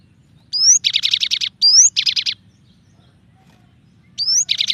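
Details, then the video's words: Varied song of a cinereous tit: a rising clear whistle followed by a rapid buzzy trill of repeated high notes, given three times with a short gap, over a low steady background hum. "suara burung glatik batu bervariasi"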